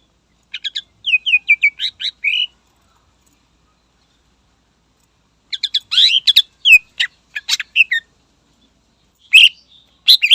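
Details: Energetic greater green leafbird song aimed at provoking rivals, delivered in three bursts. Rapid clusters of crisp chirps and slurred whistles are separated by silent gaps of a few seconds.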